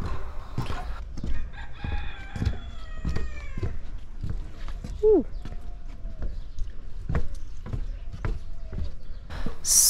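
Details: A rooster at an animal petting farm in Ras Al Khaimah's agricultural region gives one long crow of about two seconds, held steady then dropping at the end, over a man's speech and footsteps.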